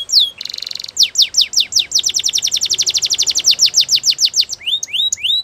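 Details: Belgian canary singing in the morning: a brief buzzy trill, then rapid descending whistled notes repeated at a steady pace, ending with a few rising upslurs.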